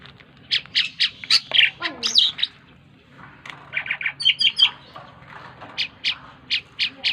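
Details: Tame Asian pied starling singing vigorously: a busy run of short harsh buzzy bursts and chattering notes, with a few clear whistled slurs in the middle, then steady repeated rasping notes near the end.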